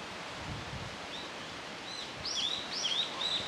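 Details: Japanese tit nestlings in a nest box, six chicks on the 14th day after hatching, Sapporo, Hokkaido, 24 May 2015: thin, high, arching cheeps that overlap and quicken toward the end, over steady hiss.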